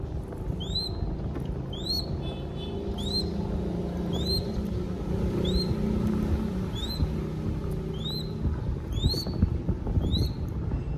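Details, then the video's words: Feeding-time begging from a baby crested goshawk in Cambodia: around ten short, high, rising whistles at a regular pace, quieter and clipped, with a faint low drone throughout. "Feeding Baby Crested Goshawk"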